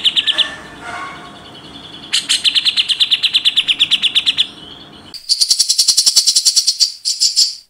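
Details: Grey-cheeked bulbul, a tutor recording for training contest birds in the rapid, harsh 'tembakan rapat besetan kasar' style: a short chatter, a fast run of clipped high notes, then a denser, higher buzzy rattling series after a brief pause.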